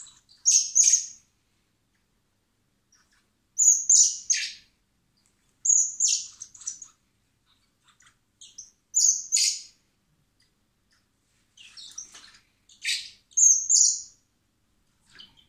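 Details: Blackbird nestlings at a wild animal recovery centre, fed by hand in spring before release, beg in regular bursts every couple of seconds: sharp high whistles with scratchy buzzy edges.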